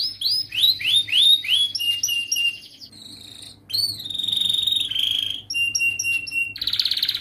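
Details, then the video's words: Tutor song from a lively young canary for training baby canaries: quick rising whistled syllables, then buzzy drawn-out tones, clipped high notes and a dense rasping burst at the end. "Masteran Kenari gacor Muda belajar NATA LAGU, paling Pandai utk pancingan kenari paud belajar bunyi"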